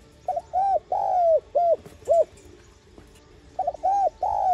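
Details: Spotted dove (cu đất) calling to rouse decoy birds: a phrase of five coos with a long, drooping second note, followed after a pause by the start of another phrase.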